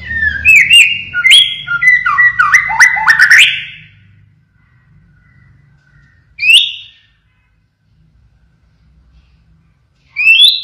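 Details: Actively singing White-rumped shama of the blorok variety: a dense run of varied whistles and rapid stepping notes for about four seconds, then single sharp rising whistles spaced several seconds apart.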